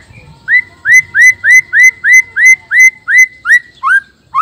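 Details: Male White-rumped shama of the black-tailed Nias type, its song said to provoke other males into singing; loud, clear rising whistled notes repeated about three times a second in an even series, closing with a lower slurred note, over faint low background rumble.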